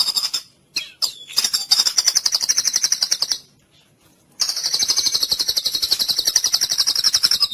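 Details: Full cililin-style masteran from a white-rumped shama, meant to tutor other birds: very rapid, even, high-pitched trills of about four notes per second, held for long stretches with brief gaps.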